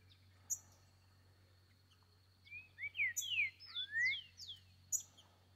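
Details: A free-living Green-winged Saltator sings in woodland, a quick phrase of rich, slurred whistles rising and falling over about two seconds, with sharp high chips and a steady low hum behind.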